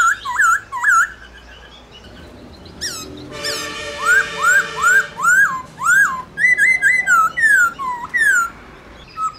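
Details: Black-throated laughingthrush singing loudly to stimulate other laughingthrushes to sing: a long run of clear whistled phrases, rising-then-falling notes repeated about twice a second, with a brief burst of harsh, noisy sound partway through.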